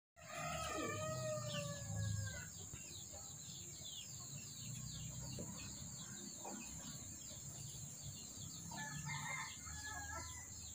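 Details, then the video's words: White rooster crowing once at the start, a harmonic-rich call held for about a second and a half, followed by a busy chorus of small birds chirping over a steady high hiss. "Ayam Jago Putih"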